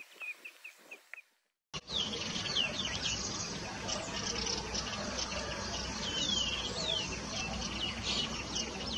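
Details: A pair of yellow-eyed babblers gives a few soft, high chirps, then a quick run of sharp, downslurred notes over a steady background hiss.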